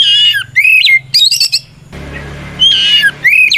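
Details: Kacer, or white-rumped shama, singing a combative provoking song: rich buzzy whistles sliding downward, quick fluttering bursts, a brief hissing break, then more falling whistled phrases over a low hum.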